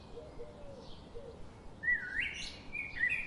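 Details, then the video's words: Birds outdoors: faint low notes, then from about two seconds a bright whistled trill that rises and flutters, with steady background hiss. "Birds sound"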